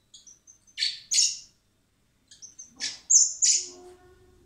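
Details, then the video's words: Spring hand-feeding of common blackbird (Turdus merula) chicks at a wildlife recovery centre prior to release; rapid excited high whistles and harsh rasping begging notes in two bursts, with a low hum near the end. "Cebando a los polluelos de mirlo común (Turdus merula)"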